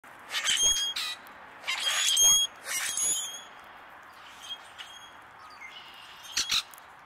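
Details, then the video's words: Common Grackle, likely a male, calls while feeding: harsh, grating squawks in short bursts about a second apart, then fainter scratchy notes later. "common grackle call"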